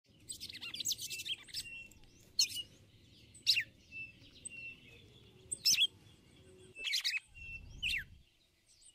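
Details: Female red-cowled cardinal calling repeatedly to excite the male with the call known locally as ticulau: short, sharp, bright chirps in irregular bursts about every second. Thin steady whistles from other birds and a low rumble sit underneath.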